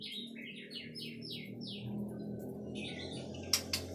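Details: White-rumped shama song, a run of quick downslurred whistled notes repeated in a series, then a jumbled phrase and sharp clicks over a steady low background hum.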